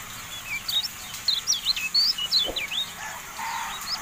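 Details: Javan white-eye song for training caged birds: quick series of high, thin, bouncing whistled chirps, irregularly spaced, over faint background hiss.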